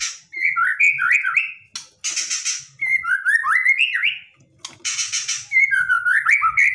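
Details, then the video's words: Aggressive white-rumped shama song packed with bursts to trigger a response; jumbled zigzag whistled phrases broken by loud harsh rasping bursts, continuous and intense. "BIKIN MURAI DIEM JADI GACOR EMOSI"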